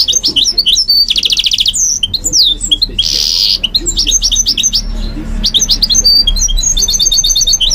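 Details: Goldfinch mule kept in a cage, singing at night. High, sweet twitters alternate with quick buzzy trills, a harsh wheezy burst and slurred whistled notes in a lively, continuous warble.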